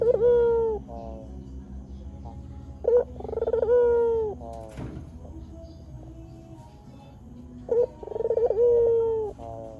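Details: White Barbary dove cooing in a recording used to tutor birds and lure wild doves: three phrases, each a short clipped note, a quick throaty roll, then a long steady mid-pitched coo sinking slightly at the end, with one sharp click between.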